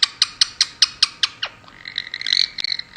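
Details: A female pet Indian ringneck (rose-ringed) parakeet giving kisses makes a quick run of sharp smacking clicks, about five a second, then a brief nasal, buzzy, frog-like chatter that copies her conure companion.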